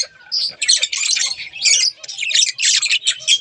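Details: A pet pair of budgerigars chatters loudly: harsh squawky twitters and rapid chirps in close bursts, with a short whistled note near the end.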